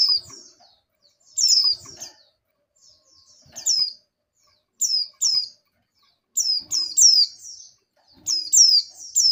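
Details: Breeding female oriental white-eye calling for a male, sparse high slurred tweets that grow denser into doubled and tripled bursts near the end.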